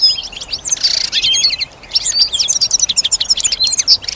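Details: Female European goldfinch kept at home, singing in response to other sounds: a continuous jumble of quick high chirps, tinkling notes and short buzzy slurs, with a brief harsh rasp early on.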